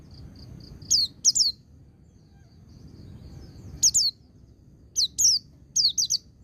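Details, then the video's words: White-eye in ngecir sambung ngalas style, used to train and excite young birds: a pair of quick, thin, falling chirps, a pause, then scattered groups of two or three high chirps. Faint low rumble behind. "Suara Burung Pleci Ngecir Sambung Ngalas"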